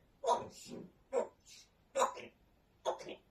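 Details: African grey parrot in a small room swearing in four quick, evenly spaced spoken syllable pairs, each a hoarse voiced word with a hissy tail.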